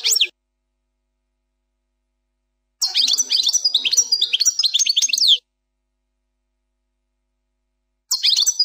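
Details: European goldfinch singing the 'plak mine' song style, presented as error-free: a fast jumble of high twittering and trilled notes in a long phrase of about two and a half seconds, with brief fragments at either end and clean silence between.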